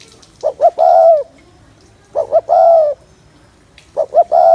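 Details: Cooing spotted dove used to get males fired up for trapping; three evenly spaced phrases, a pair of short hoots then a long mellow coo.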